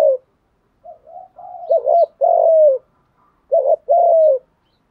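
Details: Spotted dove coos used as a lure for wild doves. Quiet short notes build into a doubled wavering coo and a long descending coo, then the phrase repeats after a brief pause.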